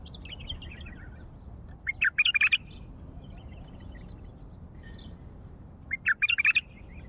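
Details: A wild bulbul, called Baghdadi, identified as a white-eared bulbul, gives two short, bubbly, fluty phrases about four seconds apart, with softer chirps between them over a faint low background hum.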